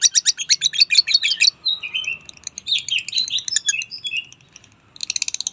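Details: Lovebird giving rapid, high chirps in dense bursts, with brief squeaky rising notes in the middle, then a final burst of quick repeated chirps after a short pause.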